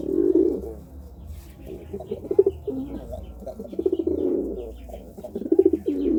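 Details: A pigeon coos while courting, giving deep rolling coo phrases that repeat about every one and a half seconds, separated by soft broken grunting notes.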